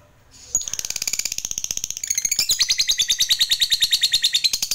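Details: Lovebird fighter giving a long ngekek, the chattering song used to stimulate other lovebirds to sing: a sudden start, then a fast, harsh, high rattling chatter of rapid repeated notes, roughly three per second, shifting in tone midway.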